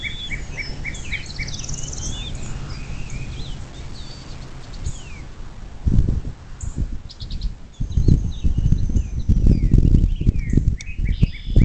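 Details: Nest-camera recording of a bald eagle near South Lebanon on the Little Miami River, southwest Ohio, USA, 26 April 2024 at 07:02: a brief series of high, clipped notes at the start, then rustling, thumps and other birds chirping.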